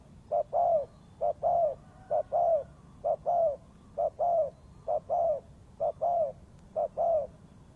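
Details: Low, mellow spotted dove coos used to lure birds into a trap, paired short and long notes repeating at an even pace, roughly one pair every second, over a quiet background.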